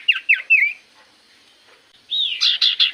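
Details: Common iora in lively song, used as a lure; three quick falling whistles, a pause, then a rising whistle leading into several loud buzzy chattering notes.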